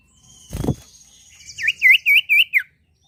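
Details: Sirtu bird in vigorous song to set other birds singing: after a brief thump, a high thin trill gives way to five rapid, loud, V-shaped whistled notes, evenly spaced.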